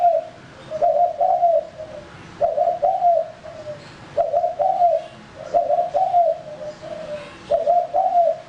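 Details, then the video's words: Decoy male spotted dove giving regular phrases of mellow falling coos, about one group every one and a half seconds, clear over quiet surroundings. "Burung Tekukur Pikat Jantan"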